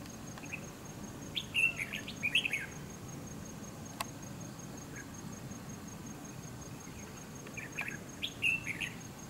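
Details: Red-whiskered bulbul calling at a fighting trap set to catch wild bulbuls; bright, chirpy short phrases in two bursts early on and another near the end, over a steady background hiss with a faint continuous high tone.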